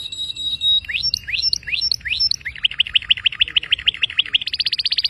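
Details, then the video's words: Canary song opening with a steady whistled note, then a series of swooping rising notes about every half second, followed by a fast, even trill of repeated chips. "Canario. Canary"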